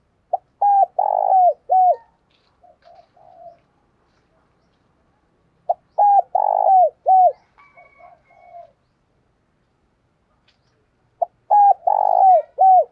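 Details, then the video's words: Spotted dove used as a decoy, calling each morning to draw in wild doves. It gives three loud cooing phrases about five seconds apart, each a clipped note then drawn-out coos falling at the tail, trailing into soft low murmurs. "Chim Cu Mồi Gáy Gọi Bổi Mỗi Sáng"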